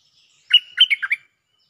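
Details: A single clean phrase of bulbul lure song in the 'Jao Bank' style: four fluty, slurred notes, the first held and the rest dipping and rising, lasting under a second.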